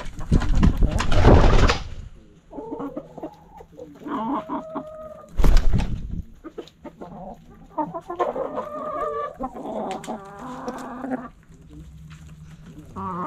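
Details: Backyard chickens clucking in bursts of harmonic cackling notes between loud broadband noise bursts, likely handling or wind, with a low hum in the background.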